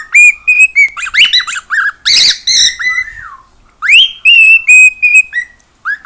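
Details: Cockatiel at home singing and making a lot of noise. Clear whistled notes are mixed with a dense, chattering, noisy burst in the middle, then more steady whistles, one of them sweeping upward.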